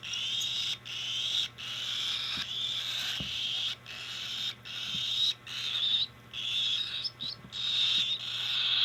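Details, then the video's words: Cockatiel begging while being hand fed: harsh, buzzy rasping bursts, roughly eight over nine seconds, each lasting about half a second and broken by short silent gaps. "Cockatiell Hand feeding 2025"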